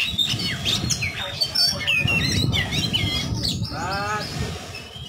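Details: Oriental magpie-robin delivering 'ngobra' calm-type song to coax other birds into singing: varied high whistles and twangy slurred notes, then a rasping repeated downslur, over a low rumbling background.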